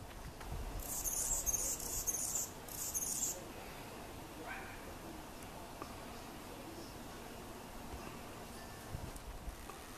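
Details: Anna's hummingbird in its spring mating dive display: loud, dense, very high scratchy buzzing for about two seconds, a brief pause, then one more buzzy burst, followed by quiet hiss with faint chirps.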